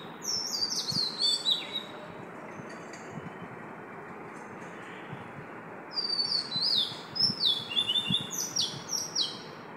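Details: Oriental magpie-robin in song at 5 am, giving a short opening phrase, then after a pause a longer run of high, quickly sweeping whistles and chirps that fills the last few seconds over soft background hiss.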